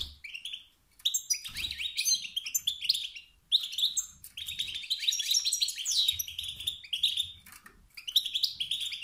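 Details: Wild male European goldfinch, calls meant to spark rivalry and singing in other males; dense, tinkling twitter delivered in long, lively phrases with brief gaps, faint low rumble underneath.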